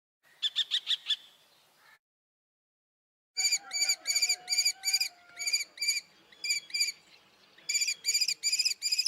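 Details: Common kestrel calling a quick series of piercing, ringing notes, first a short burst of five, then after a pause a longer, slightly irregular run of repeated shrill 'kee' notes with faint background whistles.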